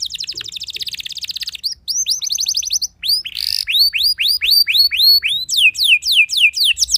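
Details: Canary song that supposedly provokes rival canaries, starting with a fast dense trill, then loud rising chirps repeated about four times a second, a brief buzzy burst, and sweeping downslurred notes.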